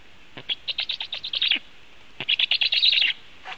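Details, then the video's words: Black storks at a nest in Latvia during feeding, evening of 21 July 2015, picked up by a nest camera: two bursts of rapid, high, chattering squeaks, about a dozen notes each, over a steady background hiss. "Latvian Black Storks - Feeding"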